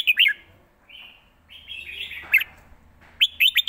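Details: Red-whiskered bulbul, a caged songbird, recorded live singing a fast-chopping 'rik' style with good phrasing: sharp, high bursts of notes open and close the clip, with softer warbled phrases in between.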